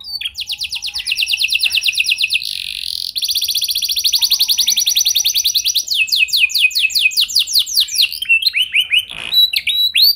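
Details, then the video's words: A canary sings continuously to set off other canaries: fast, dense trills held for seconds at a time, then a brief pause, then new rolling tours and looping upswept notes toward the end. "Kenari Gacor Lagu Mewah! Buat Kenari Mana Saja Bakalan Langsung Ikut Gacor Panjang"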